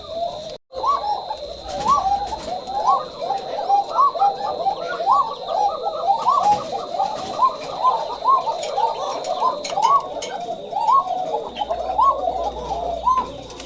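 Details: A pair of Shalik Koka pigeons on a farm at dusk, somewhat frightened by the filming light, give thin, high coos in quick, overlapping bursts, with a steady electrical whine behind.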